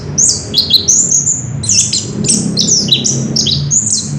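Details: Orange-headed thrush singing in the continuous rolling ngerol style, recorded on 3 March 2016. The song is a string of high, sliding whistled phrases, rising and falling, with a faint low hum beneath.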